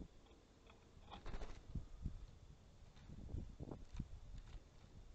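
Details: A female Grey-headed woodpecker at an osprey nest camera in Napiwodzko-Ramucka Forest, 3 August 2020, knocks on the camera up close: irregular dull taps, single and in quick pairs, about eight in five seconds, over a low hum.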